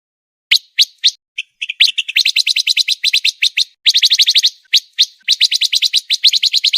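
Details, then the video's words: Fast, tightly packed pancawarna master song for training contest birds: a few scattered chirps build into long dense rattling runs of high, clipped notes with only brief breaks. "MASTERAN MEWAH BURUNG PANCAWARNA‼️SPEED RAPAT COCOK UNTUK BURUNG LOMBA"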